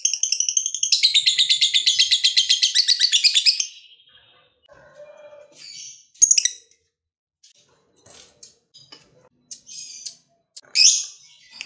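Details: Lovebird of the fighter type, kept as a bird used to trigger other lovebirds into singing, giving a long ngekek: a rapid chattering trill of harsh high notes for about three seconds, then scattered short squeaks and chirps with quiet gaps.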